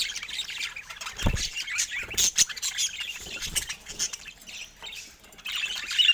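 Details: Pet budgies warbling and chirping in uneven bursts, mixed with wing flutters and low thuds; the chatter thins out briefly before rising again at the end.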